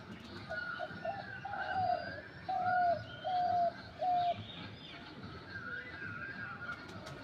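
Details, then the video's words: Bird kept at home, called a double bird, set up in a tree after a week indoors, recorded on the first day of 2025: soft whistled coo-like notes, slightly falling, repeated in a run of about five, with faint background hiss. "ডবল পাখির মধুর ডাক"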